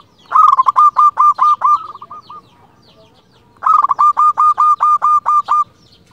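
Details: Energetic local zebra dove used as a lure to make other doves call back: two loud phrases of a quick stammered opening and about eight rhythmic rolling coos each.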